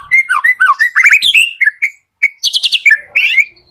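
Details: White-rumped shama singing in the morning, played to coax reluctant shamas into song: rapid varied whistles and chattering notes, a brief pause, then high repeated chips and a slurred whistle.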